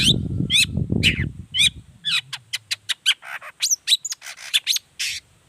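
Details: Long-tailed shrike song used to provoke other shrikes into answering: rapid sharp chips and harsh rasps, about two per second, over low rumbling background noise at the start.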